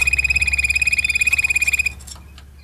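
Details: Malinois Waterslager canary singing a fast, even trilled roll on one steady high pitch for about two seconds, pulsing roughly a dozen times per second, then breaking off, over a constant low hum.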